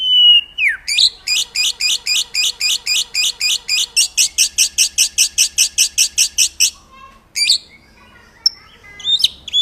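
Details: Master training song for white-rumped shama (murai batu) birds: a downward-sliding whistle, then a rapid, regular rattle of about thirty loud buzzy pulses over five seconds, then silence and a few scattered high notes.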